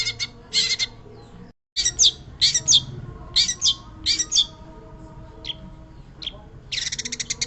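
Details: Long-tailed shrike in full, prolific song, giving short scratchy chattering phrases with squeaky whistled notes, spaced irregularly and ending in a rapid buzzy trill, against steady low hum and a brief gap of silence.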